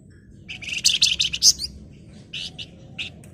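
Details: {'text': 'Golden-bellied gerygone singing actively in a dense, chattering style: a loud run of rapid high, sharp notes early on, then a pause and a few softer chirps toward the end.'}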